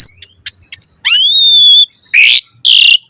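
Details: Asian pied starling in lively, frequently sung song full of varied material: sharp high chips, a long rising then level whistle, then two loud harsh buzzy bursts.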